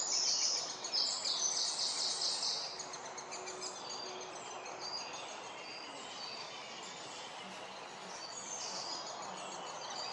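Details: Great spotted woodpecker chicks inside a nest hole in a birch, Piles Coppice near Coventry, on a late-spring morning (30 May 2021) as the male parent arrives: a high, continuous chattering buzz, loudest in the first two seconds, then softer over woodland hiss.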